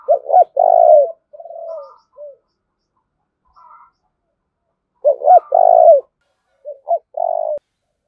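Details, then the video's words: Spotted dove acting as a decoy and calling to incite a fight: loud stuttered coo phrases with long mellow endings, separated by softer drawn coos and short notes, plus a faint distant call in a pause. "Tiếng chim cu mồi thúc đấu"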